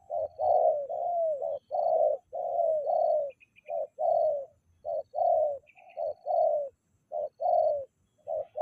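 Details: Steady series of mellow, slightly descending coos from a spotted dove, nearly continuous with short breaks, accompanied by occasional faint high chirps of another bird.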